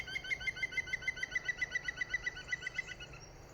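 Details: An Iberian green woodpecker calling from behind a tree at La Pava, Castelldefels, Spain, in late February: a ringing, laughing series of about seventeen loud notes, five a second, slowing and fading slightly toward the end.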